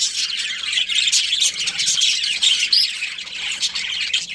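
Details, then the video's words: Breeding pair of budgerigars: shrill, squawky chirps and fast chatter packed closely together, with a clear rising whistled note partway through. "Budgies Chirping Sounds"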